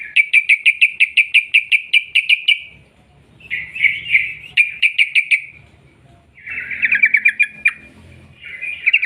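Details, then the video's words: Energetic sooty-headed bulbul singing long rolling trills, used to coax other bulbuls into song: a fast run of about a dozen sharp repeated notes, then shorter rattling bursts after a quiet gap, ending in a wavering trill. "TRUCUK Gacor ROPEL PANJANG pancingan trucuk agar BUNYI"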